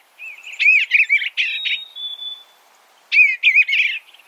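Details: Eastern bluebird giving two bursts of rich, slurred chattering notes, each ending in a faint drawn-out whistle, separated by a quiet gap of about a second.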